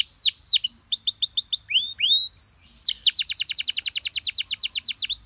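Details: Canary master song for teaching other birds, sweet phrasing easy to copy: a few downward whistles, a run of upslurred notes, then a long, fast, even trill of bright repeated syllables.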